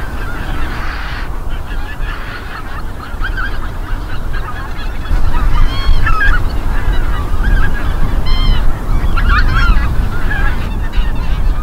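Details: A busy flock of greater white-fronted geese at Midden-Delfland, Netherlands, on 18 January 2020, yelping high two-note honks that overlap constantly, over a steady low roar of wind or distant traffic.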